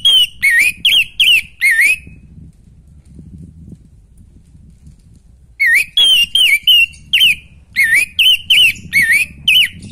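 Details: Orange-headed thrush song for drawing out breeding drive in another bird: repeated swooping whistled notes about three per second, a pause of low background rumble, then a longer run of the same notes.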